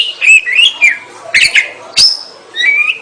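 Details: Oriental magpie-robin in full, lively song: wavering whistled notes, a couple of sharp clicks, a high rising whistle, then a steady sustained whistle near the end, with brief quiet gaps.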